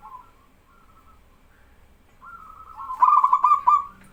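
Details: Local male zebra dove singing loudly, prompting other doves to answer; a faint low coo opens, then a loud rolling, trilled cooing phrase near the end.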